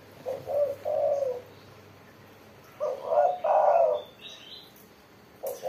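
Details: Spotted dove, locally called tekukur, in full lively song: low soft coos near 600 in short phrases, two-note opening then a longer drawn coo, phrases repeated after a pause, faint background chirps.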